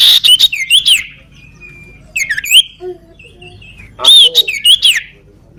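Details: A crippled-footed sooty-headed bulbul (sirtu, cipoh) in full song, giving three bursts of sharp, rapid whistled notes and slurred chirps separated by quieter warbled phrases and short pauses.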